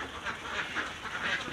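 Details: At their nests on a duck farm, egg-laying ducks call with short nasal quacks spaced a few tenths of a second apart, several voices mixing in a busy chatter.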